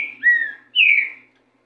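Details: Green-winged saltator singing a racha: two clear whistled phrases, the first dropping then level, the second sliding gently downward, rich and fluting, in quiet surroundings.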